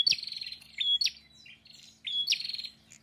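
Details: Two fast prinia song phrases, each a high whistle leading into a loud buzzing trill, with softer chips between them and a faint low hum behind.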